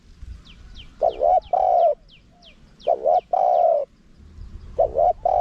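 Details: Spotted dove forest karam song, small voice, with khat and nun parts, used to lure wild doves quickly. Three phrases come roughly two seconds apart, each a doubled coo and then a long smooth one. Faint high falling chirps accompany them.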